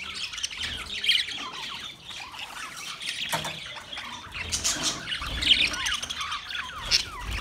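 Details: Budgerigar flock, Australian parrots, recorded 13 March 2024: continuous high chattering and warbling chirps with scattered squawks, plus a few soft low thumps in the background.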